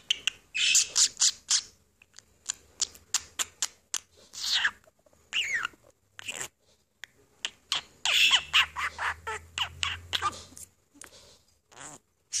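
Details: Budgerigar sitting on its owner's finger, talking and chattering; a rapid, scratchy stream of clicks, squeaky warbles and bright chirps with brief pauses, loud and close throughout.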